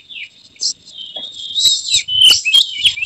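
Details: An Oriental magpie-robin in an emotional display, tail spread, delivering a full repertoire. A thin whistle opens, building into loud, dense warbled phrases with sharp clicking notes, growing stronger toward the end.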